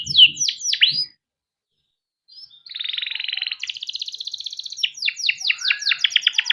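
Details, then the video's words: Male canary kept in a cage, sung as a training lure for young canaries: a few sharp downslurred notes, a pause, then a long buzzy rolling trill and a run of quick sweeping notes. "burung kenari gacor panjang efektif buat pancingan kenari paud || canary singing || kenari gacor"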